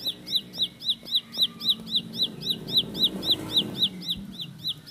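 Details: Bar-winged prinia (ciblek pari) in a speedy roll: high, piercing down-slurred chips repeated about four per second throughout, over a noticeable low murmur of background noise and faint clucking-like sounds.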